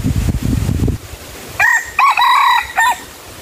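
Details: Red junglefowl crowing at a decoy setup for luring wild birds: a second of low rustling and thumps, then a four-part crow, a clipped opening note, a rising note, a long held note and a brief fall at the end.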